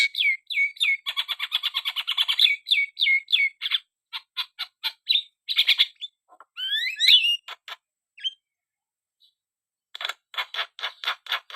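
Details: Javan myna singing vigorously: rapid runs of sharp, repeated chirps and harsh rasping notes with whistled upslurs, a brief near-silent pause, then a renewed burst of dense, scratchy chatter.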